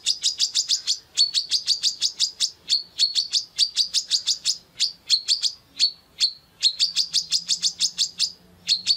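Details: Female brown-throated sunbird, kept caged, calling in full voice with open beak: fast, high, sharp tweets delivered in uneven bursts with brief gaps, and a faint low hum in the background near the end.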